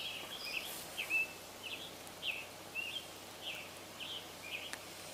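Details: A Scarlet Tanager sings short, hoarse, robin-like phrases about twice a second, choppier and burrier than a robin, from thick vegetation on July 1, 2023, over a soft outdoor hiss.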